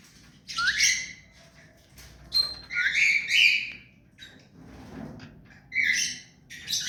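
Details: Hand-tame ringneck parakeet, a pet, making a string of harsh, nasal squawks, some starting with a sharp upward slide, with quiet room rustles between the calls.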